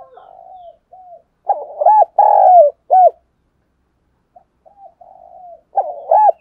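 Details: Spotted dove in Dong Nai, Vietnam, calling to attract wild doves: faint gurgling coos lead into a loud, repeated phrase of deep rounded coos and a rolling drawn-out note, then quiet murmurs and another phrase.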